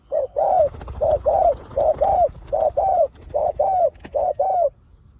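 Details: Spotted dove kept as a lure for wild doves, producing a string of low paired coos, a short note then a longer slurred one, about once per second, with a sharp click near the end.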